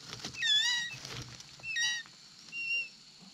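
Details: Excited eaglet calling as the mother bird arrives with a toad: high, thin whistles, wavering then slurring down, in three separate bursts over quiet background hiss.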